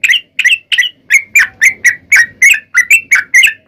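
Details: Sooty-headed bulbul giving long rapid fighting song, used as a lure to provoke other bulbuls into singing back. Quick string of loud, clipped, warbled notes, roughly four per second, steady throughout.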